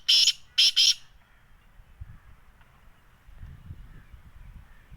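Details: Black francolin, locally kala teetar, recorded in Sindh, Pakistan. Three loud, harsh, scratchy notes come in quick rhythm at the start, then fade into quiet background with faint low rumbling.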